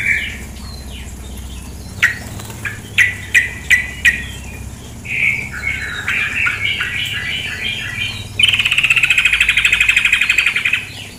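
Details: Calls of a female sooty-headed bulbul: scattered sharp clicks and short squeaky notes, then a burst of warbling chatter, ending in a long, fast buzzy rattle of pulsed notes, all over a continuous flowing-water hiss.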